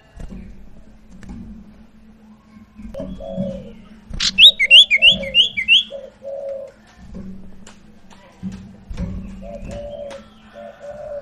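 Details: Sirtu lure song meant to get a silent bird singing: faint low coo phrases repeat, and a quick series of bright high chirps comes midway over a low background hum.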